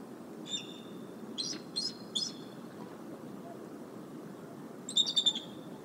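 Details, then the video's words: Mother bald eagle at the Decorah nest, 29 January 2022, warning from the Y-branch as a sub-adult visitor perches nearby and a skier passes. Short bursts of high, thin chittering notes, spaced irregularly over steady background rumble. "Mom Concern Vocals"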